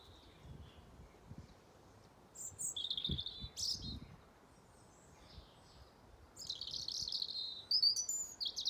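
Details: A European robin gives its autumn song while defending its territory, in two bursts of thin, high, wavering phrases separated by pauses, over faint low rumbles.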